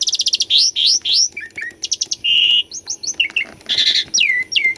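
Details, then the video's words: Asian pied starling singing, recorded for use as a training lure for silent captive birds: a varied, loud medley of rapid repeated clicks, slurred whistles and buzzy notes, densely packed and high pitched. "KICAUAN JALAK SUREN GACORAN - PANCINGAN JALAK UREN MACET PALING JITU..!!"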